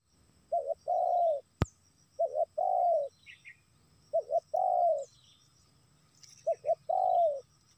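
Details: Spotted dove call used as a lure for wild doves: four phrases, each two short clipped coos then a long, drawn-out, falling coo, with a sharp click early on and faint high chirps from other birds.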